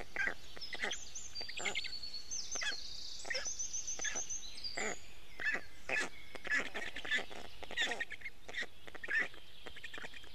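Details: Black stork chicks at an Estonian nest at 6:41 am on 29 May 2018, begging while the newly returned male parent feeds them fish. Hoarse, harmonic squawks come in irregular bursts, with high twittering from other birds in the background.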